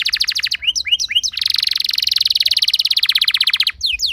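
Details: Canary singing in a run meant to prompt other canaries to sing: quick repeated notes and a few swooping whistles, then a long, dense, buzzy rolling trill lasting over two seconds, closing with sharp falling whistles.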